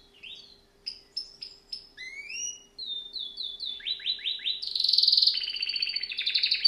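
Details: Canary (Serinus canaria) singing for bird training: spaced short chirps, rising whistled slurs, a run of repeated downslurred notes, then a loud buzzy trill and fast rolling phrases.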